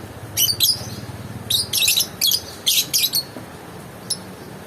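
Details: Lovebird calling in rapid, shrill, high chirps grouped into short chattering bursts about every half second to a second, then trailing off to a single faint note.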